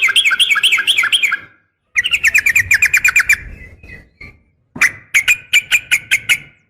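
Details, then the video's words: Yellow-vented bulbul, a female calling a male in the fierce garuda fighting style, giving rapid bright chattering bursts of repeated metallic notes, three fast phrases separated by brief silences. "trucukan gacor SUARA NGGARUDA TARUNG ROPEL"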